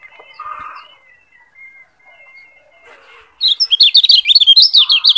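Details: Lombok yellow white-eye, tutor song used to train other caged birds: after soft murmurs and a thin steady tone, a rapid high twittering warble of tumbling, zigzagging notes bursts out loudly and continues to the end.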